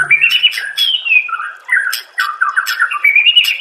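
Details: Murai batu, or white-rumped shama, masteran recording: continuous warbled whistles sliding up and down, mixed with harsher chattering notes and sharp clicks, forming an unbroken, varied phrase.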